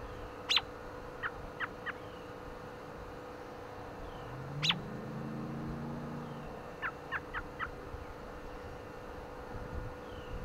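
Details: American robin (Turdus migratorius) on a windy day gives a loud sharp note followed by a quick run of three or four thinner chirps, repeated twice, over low wind rumble and a steady hum.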